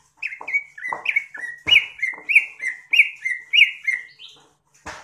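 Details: Greater green leafbird singing a tutor song for kept birds: a lively run of about a dozen sweet, slurred chirps that alternate between slightly higher and lower notes, ending in a short rising note and a rough burst.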